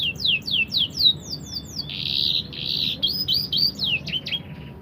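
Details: Canary pouring out rapid downslurred notes, then a dense buzzy trill, followed by quick repeated chirps and descending sweeps, all high-pitched, with faint low hum behind.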